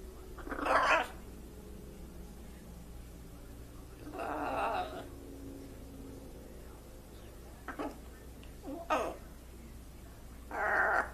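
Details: Well-trained talking blue-and-gold macaw kept as a pet gives a series of loud, rasping squawks, some short and clipped, others drawn out, spread irregularly with quiet gaps between them.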